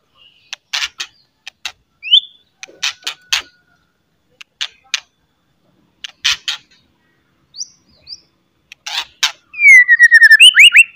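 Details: White-rumped shama giving its loud harsh chattering notes to provoke other shamas into singing: short rasping bursts at an irregular pace with brief whistled slurs, ending in a rapid series of fast, rising whistled notes.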